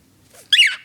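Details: A pet cockatiel that suddenly started sneezing and making a strange noise gives a single quick, harsh sneeze, a sharp hissing burst of about a quarter second; the owner wonders whether it is a health problem.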